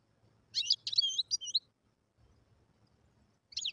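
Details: A wild European goldfinch, song used to tutor young birds, gives a quick burst of bright, tinkling twitters and liquid trills, then falls silent before starting another phrase.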